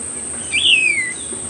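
A single thin, high myzomela note that rises briefly, then slides steadily downward, over a constant high insect-like hiss.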